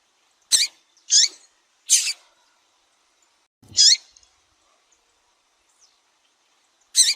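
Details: Female Double-collared seedeater calling to stimulate males for singing contests; a quick run of three sharp high chirps, then single chirps roughly three seconds apart, each note sweeping downward, with no background noise.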